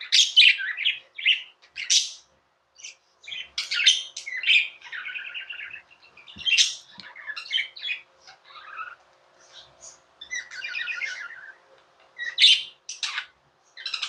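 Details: Indoor budgerigar chattering at length: a continuous mix of buzzy chirps, squeaky notes, harsh squawks and brief warbled trills, varying in rhythm and loudness throughout.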